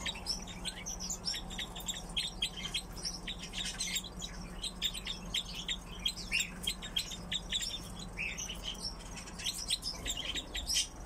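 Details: Captive crossbills kept with pine grosbeaks chatter continuously: dense, rapid series of clipped high chirps from several birds, almost unbroken for ten seconds, with a low mechanical hum underneath.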